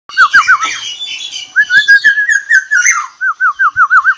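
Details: Black-naped oriole (kepodang) singing in the dense, rapid 'ropel rapat' style: loud fluted whistles, wavy notes rolling up and down, ending in a run of six quick looping whistles, with scratchy harsher notes layered above.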